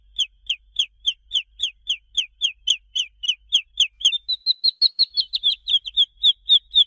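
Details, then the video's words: Domestic chick, recorded in a henhouse setting, giving soft, high peeps. Short downslurred peeps repeat about four times a second, then shift to slightly higher, flatter and quicker calls in the second half. No other sounds are heard. "SOM DE PINTINHO"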